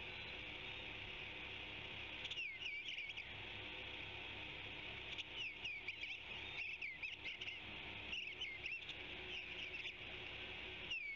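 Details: Eastern Bluebird singing on a branchlet at the Savannah Ospreys nest cam: soft, short warbled phrases that rise and fall, repeated every second or two over a steady high hiss.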